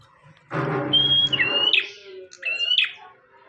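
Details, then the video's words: Energetic bar-winged prinia song for tutoring other birds: a drawn-out thin whistle slurring into a buzzy note, then a second whistle-and-buzz phrase, with a loud low broadband burst of noise at the start. "Burung prenjak tamu / prenjak omah gacor"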